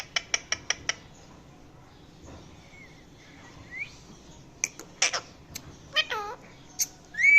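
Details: Pet Indian ringneck parakeet making varied sounds: a quick run of five sharp, high clicking chirps, a pause, then scattered whistled notes, rising slurs and a cluster of harsh, wavering calls near the end, louder at the close.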